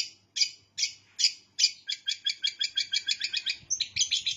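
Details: Long-tailed shrike in lively song with bar-winged prinia mimicry: four spaced, sharp buzzy notes, then a steady rapid string of chips about four per second, ending in a rougher chattering flourish.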